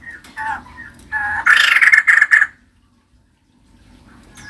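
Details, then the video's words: Female white-crested laughingthrush, caged and described as gacor, singing persistently: a few softer varied notes, then a loud, fast, harsh chattering burst of about one second before the sound stops abruptly into silence. "Poksay jambul putih betina gacor"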